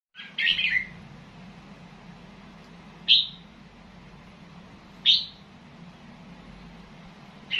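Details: Red-whiskered bulbul, a caged songbird from Loei Province, Thailand, giving short bright whistled phrases about every two seconds, each a quick rising-falling burst, over a steady low hum.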